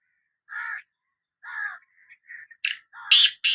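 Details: Sindhi black francolin: lower, hoarse nasal notes give way to a run of loud, harsh, broadband rasping bursts at the end.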